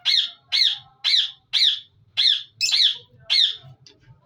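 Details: Budgerigars in a breeding colony, Australian parrots: a run of seven harsh, scratchy squawks, each short and high-pitched, repeated about twice a second and then tailing off into softer chirps, over a faint low hum.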